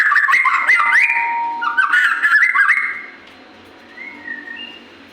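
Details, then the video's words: White-rumped shama, a Murai Batu, in loud full song: fast stepped whistled phrases and trills for three seconds, then quieter separate upslurred whistles. "BURUNG MURAI BATU GACOR SUARA KERAS"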